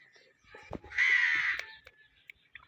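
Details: Pet Indian ringneck parakeet giving one harsh, grating squawk lasting about half a second, with a few faint clicks and short scratchy notes before and after in a quiet room.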